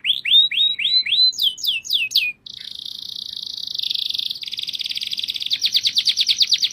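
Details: Canary in song, opening with a series of rising-then-falling whistled notes, followed by sustained rapid buzzy trills and a quick pulsing roll of repeated notes at the end.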